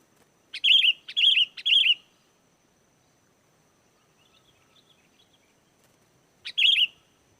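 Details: Sooty-headed bulbul in lively song, used as a lure so wild bulbuls answer and as a tutor recording: three quick bubbly whistled phrases in a row, a pause with faint distant chirps, then one more phrase.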